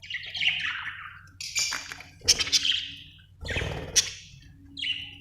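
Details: Budgerigar chirps: several descending, slurred high notes and scratchy bursts spaced about a second apart, over a faint low hum.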